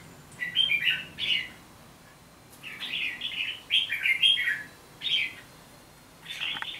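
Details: Red-whiskered bulbul singing a rapid series of bubbly, whistled phrases, several in quick succession with brief pauses, ending in a burst of rich notes.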